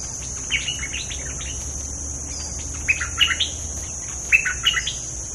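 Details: Bulbul calls recorded as a lure for catching birds: short, bubbly chirping phrases in brief bursts, spaced unevenly across the clip, over a steady high-pitched insect drone.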